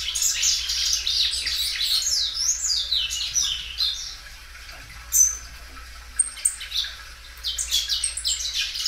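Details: A well-kept Belgian canary sings loudly, stretching the song several times: dense high trills at first, a quieter gap with scattered sharp chips, then rapid chirping returns near the end.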